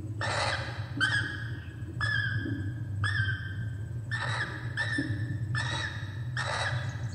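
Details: Laughing kookaburra in Australia: drawn-out, rich harmonic notes repeated about once a second, some rising then levelling, over a strong steady low rumble.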